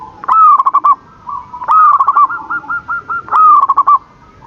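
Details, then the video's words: Zebra dove (perkutut), a strongly calling bird heard every morning: three soft, rolling cooing phrases, each opening with a rising note and then breaking into a rapid, bubbling staccato, repeated about every one and a half seconds. "Pancingan suara burung perkutut gacor | zebra dove still calling every morning"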